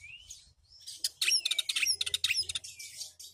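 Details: Oriental magpie-robin kept as a house bird, singing a fast, varied high-pitched run of sharp chirps, clicks and short whistles after a soft rising whistle opening, with a thin steady tone underneath.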